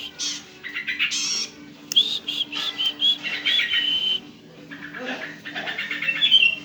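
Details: Young long-tailed shrike producing bursts of buzzy, scratchy chatter alternating with thin high whistles, over a steady low hum that runs throughout.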